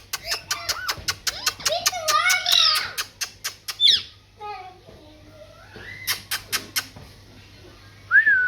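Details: Parrot described as talking produces a busy stream of speech-like chatter mixed with rapid clicks and a squawk, then quieter wavering tones and a final rising whistle, in a small room with low background hum.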